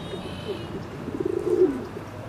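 Ring-necked duck giving low, soft, purring notes that swell into a rapid throaty burr over about a second, against quiet background hiss.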